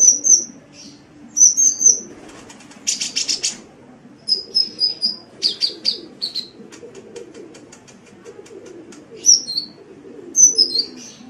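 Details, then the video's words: Sunbird (burung kolibri) singing vigorously, as on an Indonesian training recording for songbirds: thin high whistled notes and sharp sweeping chirps in short bursts, with a brief buzzy rattle near three seconds over a low steady hum. "Suara Burung Kolibri"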